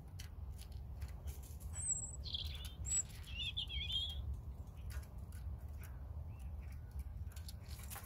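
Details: Short European robin phrases: a couple of thin, very high whistles followed by quick tinkling, descending warbles, then quiet except for a steady low background rumble.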